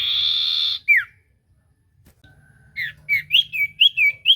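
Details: Lively common iora singing to prompt a quiet bird to answer: a drawn-out buzzy trill dropping into a down-slurred whistle, a pause, then a quick series of bright, repeated whistled notes.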